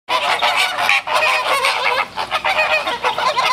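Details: Flock of flamingos in Brownsville, Texas, in spring as they move into breeding season, escalating their calls, gathering and flapping wings. A dense, continuous chorus of overlapping nasal, goose-like honks from many birds.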